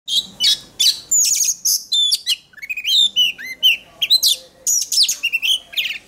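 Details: Oriental magpie-robin singing in contest-training style: a loud, rapid run of varied whistles, sharp chirps and buzzy notes, many sliding up or down, delivered in quick bursts with brief gaps.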